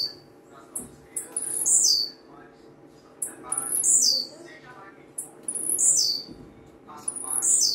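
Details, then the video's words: Blue-black grassquit singing a lot: a short, very high, buzzy downward-sweeping phrase repeated about every two seconds, each led by a sharp tick, over a faint steady hum. "TIZIU CANTANDO MUITO"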